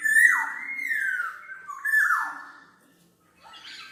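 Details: Black-naped oriole, a recording meant for luring and tutoring birds, giving two mellow, liquid whistles that slide down then level off, followed by a brief harsher note.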